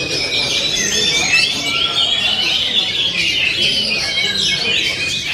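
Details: Short stretch of oriental magpie-robin song: thick layering of high chirps and whistled slurs, bright and unbroken.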